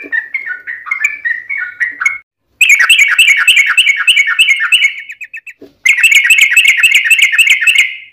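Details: Trucukan (sooty-headed bulbul) gacor song used as a lure: a run of chirped phrases, then two loud, dense bursts of rapid, higher chattering with short silences between.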